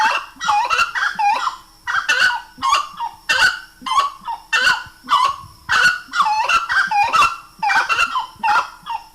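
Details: Grey-cowled wood rail singing a sustained chorus of loud, goose-like honks and cackles, notes clustered in twos and threes across nine seconds.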